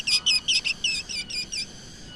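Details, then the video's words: Black drongo sound used as a lure: a rapid string of bright whistled chirps, about eight notes in under two seconds, each note sliding up and down and fading toward the end. "suara original srigunting hitam untuk pancingan"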